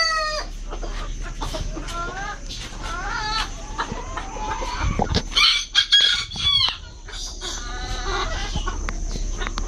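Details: Brahma bantam chickens, imported stock, at a pet aviary in Malaysia, giving repeated short clucks and curved rising notes, with a noisy burst of harsher bird calls midway and a constant background hum.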